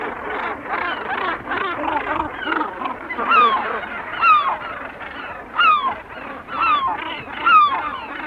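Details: Gannet colony recorded medium close-up with herring gulls calling and kittiwakes in the background: a harsh, crowded babble of rasping calls, with clear downslurred gull cries repeating about once a second above it.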